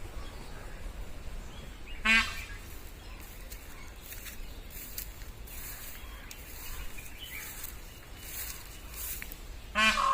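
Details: Peacocks give two loud, harsh, nasal calls, one near the start and one at the end, each short and richly layered, over a steady low background rumble with faint scattered ticks.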